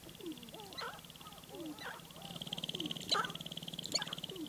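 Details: Sharp-tailed grouse recorded at Baudette, Minnesota, giving drawn-out descending whining calls about once a second, with sharp clucks and a rapid ticking rattle that grows louder toward the end.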